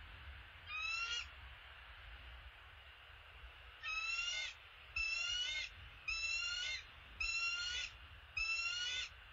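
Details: A bald eagle pair at the nest, the male possibly delivering an opossum. One high chittering squeal, a gap of about three seconds, then five shrill, stuttered piping notes about one per second over a soft low hum.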